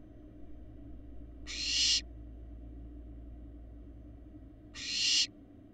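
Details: Large barn owl fledglings on a live nest cam in Florida, from eggs laid in January 2022, utter two drawn-out, harsh hissing screeches about three seconds apart, each building then stopping abruptly above a low constant hum.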